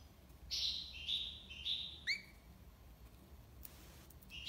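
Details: European goldfinch, song in the tiwawati libassad style: three evenly spaced buzzy high notes, then a quick rising whistled slur, a pause and a final buzzy note.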